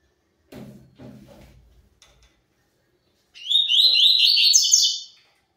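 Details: Several low knocks and rattles, then a double-collared seedeater delivers a pure tui tui zel zel phrase: about two seconds of quick, high, repeated chirping notes with a slight upward lift.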